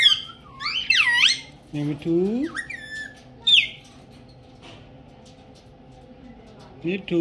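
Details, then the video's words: Pet ring-necked parakeet in Pakistan talking, mimicking Urdu and Hindi words: several short, swooping, nasal speech-like phrases with upward and downward slides in the first half, then near silence before a final brief utterance. "My Ringneck Talking Parrot Speaking in Urdu Hindi Languages"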